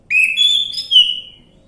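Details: Orange-headed thrush song used as a lure to prompt a silent bird to sing: a single loud, clear whistled phrase rising then sliding through two linked notes, lasting about one second, over a faint low hum.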